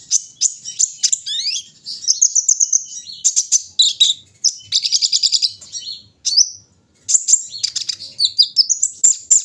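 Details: Brown-throated sunbird set out for its morning dew airing, singing a rapid, high jumble of sharp chirps, slurred downward notes and buzzy trills, with a brief pause before a final burst of twittering.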